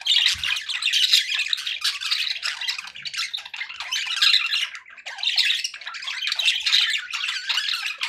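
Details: Pet budgies in a cheerful mood, a busy stream of chirps, rasping squawks and rapid warbled twitters rising and falling in loudness with hardly a break.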